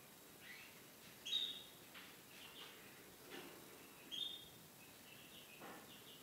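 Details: Hand-fed Spanish Timbrado canary chicks from 2017 begging: two sharp, high, thin chirps about three seconds apart, with quieter scattered peeps and soft handling noises around them.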